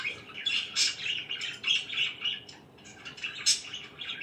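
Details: Morning chatter from pet budgerigars, rapid overlapping chirps and scratchy squawks running almost continuously, several sharp high accents standing out above the busy warble.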